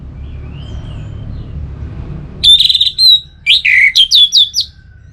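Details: After a quiet start, the orange-headed thrush bursts into a bright run of high whistled notes, then a rapid string of short, sweet chirps repeated in quick succession.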